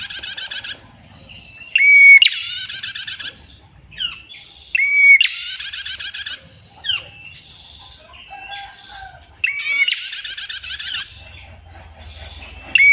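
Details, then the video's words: Female prinia (prenjak) with a clear voice and long trills gives loud, rapid, dry ticking trills in bursts of about a second. Each burst opens with a sharp rising whistle, with brief quieter chirps between. "PRENJAK GACOR - MASTERAN BETINA, SUARA JERNIH, NGETIR PANJANG"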